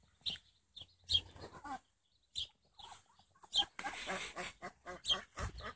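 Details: Indian Runner ducklings a few days old, giving thin, high peeps at irregular intervals, partly masked by bursts of rustling, scratching and knocking.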